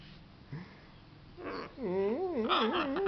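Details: Pet macaw playing with its favourite towel indoors; after quiet room noise, a run of wavering, warbling tonal calls that bend up and down repeatedly, growing louder toward the end.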